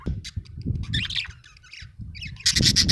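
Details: A happy pet budgerigar chirping: short bursts of bright, warbled chirps, ending in a rapid run of pulsed, squawky notes, over low rustling and thumping noise.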